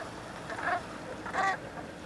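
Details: Bernache geese at Penfoulic in Fouesnant on 30 November 2010, giving two brief honks about three-quarters of a second apart, each nasal with clear overtones, against a soft constant background rush.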